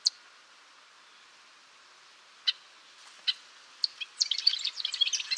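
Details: Golden-rumped euphonia (gaturamo-rei) opening with spaced single chip notes a second or so apart, then launching into a quick, busy twittering phrase of high warbled notes.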